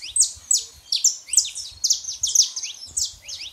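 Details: Male and female saffron finch, song used to warm up a silent canary: loud, sharp, high downslurred chirps repeated in quick succession, with light low thumps beneath.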